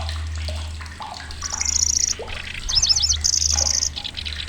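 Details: Migrant lanceolated warbler in Indonesia, a loud shrill singer. Two high, buzzy, reeling trills and a quick cluster of sharp repeated notes after a second of quieter chirping, with a steady low hum underneath.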